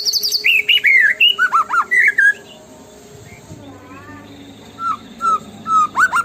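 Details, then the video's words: White-rumped shama tembakan song: a quick cascade of high buzzy notes and swooping whistles, a quiet gap, then soft level whistles and a final rising phrase. "PUTAR PANCINGAN MURAI BATU INI LANGSUNG BUNYI GACOR FULLISIAN!"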